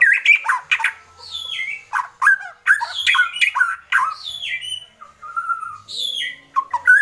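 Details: White-rumped shama in an agitated state, kretekan style: rapid mix of sharp downslurred whistles and harsh clicking rasps, delivered in dense bursts with brief gaps throughout.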